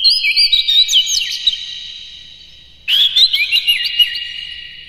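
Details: Oriental magpie-robin, a captive bird in full morning song, used as a lure to stimulate other kept birds into singing and tail-spreading in a rough, varied style. Two bursts of bright whistled and warbled phrases are separated by a quiet pause.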